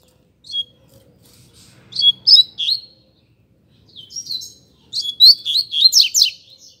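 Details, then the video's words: Double-collared Seedeater in a song contest against another bird: two bursts of crisp, chirping and slurred high notes, each starting with separate chips and ending in a dense, fast flourish. "Coleiro Disputa de Canto"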